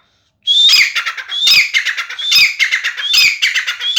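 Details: Grey francolin of the babu Sindhi type, a chakri-style calling bird said to give 270 calls a minute: loud ringing phrases about every 0.85 seconds, each a rising whistled note followed by rapid harsh stuttering notes, calling nonstop after a brief silence.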